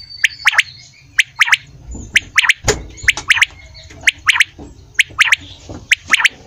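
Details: Morning quail call, the bright three-part phrase of one clipped note and a rapid doublet given roughly once a second, seven times over, with a dull low thump near the middle and faint background hum.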